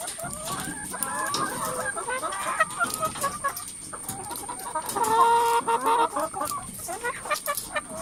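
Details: Lots of chickens in a coop making various sounds: a busy overlapping chorus of irregular clucks and murmurs, with a louder drawn-out hen call rising out of the flock midway.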